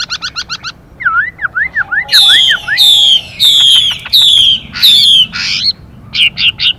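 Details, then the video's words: Caged Chinese hwamei pair, male singing in a varied, changing-voice style while the female hisses to excite him: a quick rattling trill, then a run of V-shaped whistled notes, then loud, repeated, falling whistled strokes. "họa mi hót Đảo Giọng liên tục kèm thêm tiếng chim mái xùy kích bổi nhanh"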